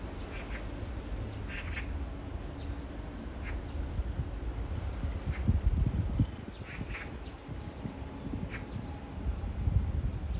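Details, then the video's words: A magpie keeps up its serenade to a mate only meters away: scattered short, harsh chattering notes, a cluster early and more near the end, above a loud low-pitched background rumble. "까치의 사랑(몇 미터 옆에다 두고)"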